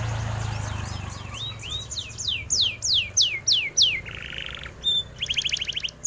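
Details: Singing canary offered as a song model for white-eyes. Rising and falling whistled slurs lead into loud descending sweeps, then buzzy rattling bursts and a rapid pulsed trill, over low hum.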